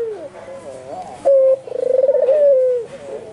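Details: An albino white Barbary dove in full, energetic voice gives a short sharp coo, then a quick stuttering run of pulses that flows into a drawn-out steady tone easing slightly downward.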